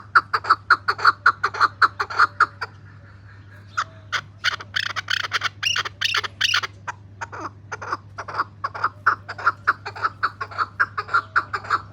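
A chukar gives a rapid series of harsh chuck notes, about two per second, breaking into a louder, rattling chukar-chukar burst midway over a low steady hum.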